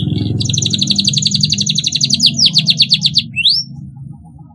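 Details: Canary song suited to priming young canaries learning to sing: a long rapid rattling trill, then a run of descending sweeping notes and one rising whistle, with a low background hum.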